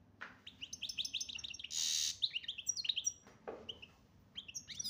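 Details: Goldfinch song from Algeria, chardonneret major form: quick tinkling twitters, a loud grating buzz lasting about half a second, then descending liquid notes and a soft lower chirp before further twittering.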